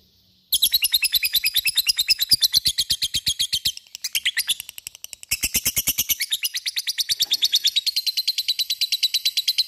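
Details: After half a second of quiet, a lovebird bursts into its ngekek song, a sustained, rapid rattle of sharp, high-pitched ticks, briefly broken around four seconds, then continuing steadily to the end.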